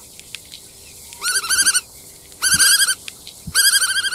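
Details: Black-tailed godwit with rapid bursts of nasal, bouncing notes, about six to eight in each burst, three bursts in four seconds.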